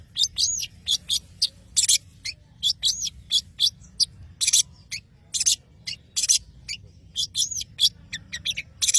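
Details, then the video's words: Long-tailed shrike of the Madura type in full song: a rapid alternation of harsh scratchy bursts and high arched whistled notes, delivered in quick irregular clusters throughout. "CENDET Pentet MADURA GACOR"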